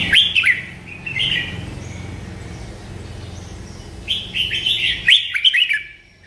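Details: Melodious merbah lekir bulbul song: fluty warbled notes at the start, a softer phrase, then a long run of bubbling, rising and falling notes with sharp clicks.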